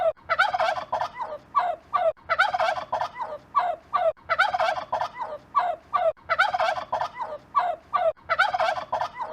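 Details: Turkey gobbling: five loud, rapid rattling gobbles, each a burst of fast gurgling notes about a second long, repeated roughly every two seconds with short gaps between, no other sounds heard.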